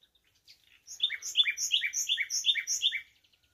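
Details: Common nightingale, said to be singing in nature: after a few soft opening notes comes a fast run of about seven rich, repeated chirping notes over two seconds, clear against near-silence.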